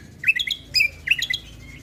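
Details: Cucak Kombo Lombok (Sumatran leafbird) in lively natural-fill song. Two quick bursts of bright rising-and-falling chirps and twangy notes, with a thin high whistle trailing off at the end.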